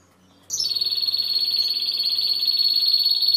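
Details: A Timbrado canary delivers a sustained, very rapid metallic trill on one high steady pitch, starting abruptly after silence and holding without a break.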